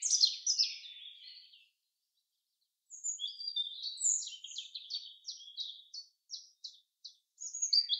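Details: Forest chaffinch in song: a falling cascade of sweet notes opens, then after a short silence comes a long run of evenly spaced sharp chips, about a dozen, ending in a brief trill.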